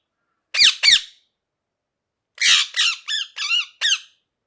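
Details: Parrot, a pet ringneck, giving two quick harsh squawks, then after a pause a raspy screech and several rising-falling chirps, indoors.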